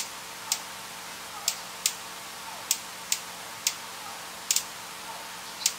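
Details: Sharp, dry ticking clicks at irregular intervals, roughly one or two per second, over a faint steady hum in a quiet indoor room, with no animal voice heard.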